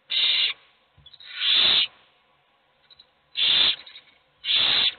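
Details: Owl chicks, all hungry, begging in a nest box while only one eats: loud drawn-out hissing screeches, four bursts with uneven gaps and softer rasps between them.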